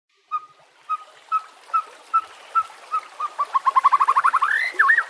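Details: White-rumped shama song from a training recording for caged birds, made with nature sounds and trickling water: six spaced, mellow hooting whistles, then an accelerating rapid trill that ends in a looping upward whistle.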